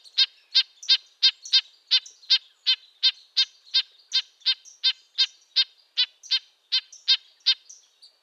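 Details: Red-breasted nuthatch delivering a long, quick sequence of high, nasal trumpet-like notes, about three per second, steady and clear.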